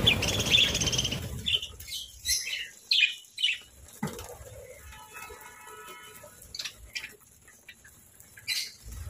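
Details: Pet parakeets at morning feeding time, opening with a brisk burst of high twittering chirps, then only sparse single chirps and faint clicks over a quiet background.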